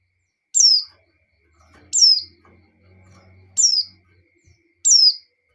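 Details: Female white-eye in breeding condition calling the male; four high, downward-slurring whistled notes at irregular intervals of one to one and a half seconds, over a low background hum.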